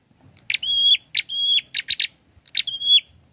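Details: Prinia singing, the prenjak kepala merah or prenjak klawu: a buzzy burst followed by a long, flat, high whistle, repeated three times with a run of short chirps between, all on a clean, quiet background.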